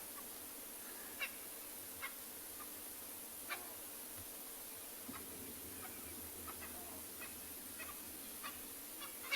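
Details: Francolins calling from the far side of a riverbed in South Africa in the late afternoon, while baboons alarm call nearby: distant, harsh, scratchy notes scattered irregularly over a faint, steady background hiss.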